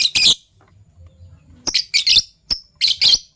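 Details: Fischer's lovebirds, a violet and a gold opaline bird, in the morning: sharp high chirps in two quick pairs, then a single clipped note and two more bright, scratchy bursts, with quiet low room hum between.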